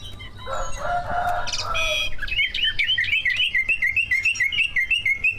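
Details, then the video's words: Greater green leafbird, one of two competition birds, singing a mastered song used to provoke other birds: harsh rasping notes for two seconds, then a fast run of bright, repeated whistled chips, about three per second, steady and ringing. "Kicau burung cucak ijo gacor, prestasi, full masteran. buat pancingan dijamin ikut Gacor"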